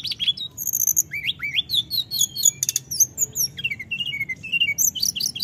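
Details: Snowy-browed flycatcher in non-stop full voice: high, thin, piping notes, quick rising slurs and short buzzy trills tumbling one after another in a varied, restless chatter, with a soft low hum beneath.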